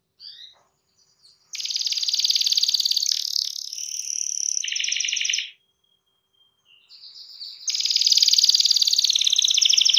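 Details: Gacor canary in full song meant to set other canaries singing: long sustained buzzy rolled trills at high pitch, broken by short pauses and brief whistled notes, resuming loudly toward the end.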